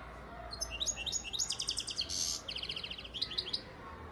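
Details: Captive European goldfinch from Antalya, Turkey, hatched in 2019, delivering a dense, high twittering song of rapid liquid notes, a buzzy trill in the middle and quick repeated chips, with a low background hum.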